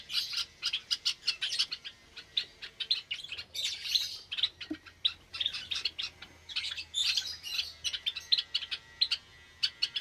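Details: Caged Java sparrow flock with new chicks on a Sunday morning in May 2022; a dense, steady stream of high, clipped chirps from several birds, occasionally thickening into busier squeaky clusters.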